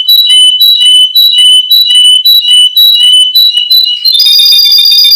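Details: A Russian canary belonging to a breeder in Miami, Florida, sings bright, whistled notes repeated about twice a second, then switches to a faster, higher rolling trill.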